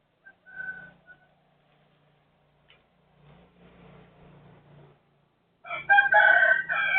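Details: Neighbour's rooster crowing at 12:12 on 23 January 2568 (Thai calendar); after faint scattered sounds, a loud, harsh, strained crow bursts in near the end and carries on for over a second.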